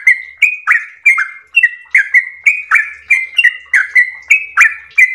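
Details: Long ropel song of a yellow-vented bulbul: a steady chain of clear whistled notes, some flat and some dropping, delivered almost without pause over five seconds, with bright ticking edges.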